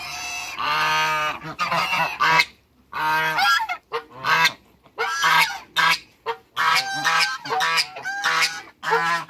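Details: Two male and one female African geese in a backyard among other waterbirds, calling with loud nasal honks, a long honk first, then repeated short bursts separated by brief pauses.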